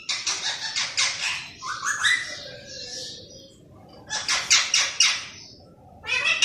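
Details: Human-like chatter from a pet green parrot: bursts of rapid raspy syllables around a rising whistled slur, a pause, then another rasping burst and a final squawk.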